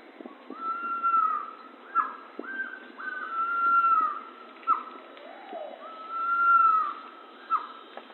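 A pavonine quetzal sings long, mellow, drawn-out whistles that swell and then fade. Short, sharply falling notes come between them, and a lower whistle is heard once.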